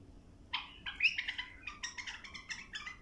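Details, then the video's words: Bulbul song meant to teach young birds: a string of quick varied whistled notes and short chattering phrases, moderately loud over a low background hiss. "للتلقين وتخريج تغريد صافي"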